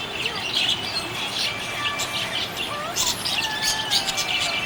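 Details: Cheerful budgie chirping in quick, high, raspy twitter bursts, mixed with short gliding whistles and a faint tonal background that may be music.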